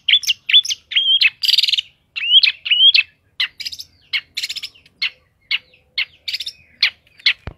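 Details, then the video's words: Long-tailed shrike in lively song: sharp chirps and short slurred whistles, a brief harsh buzz, then a long run of clipped, evenly spaced chip notes with rasping edges; background otherwise quiet. "cendet gacor isiannya mewah banget"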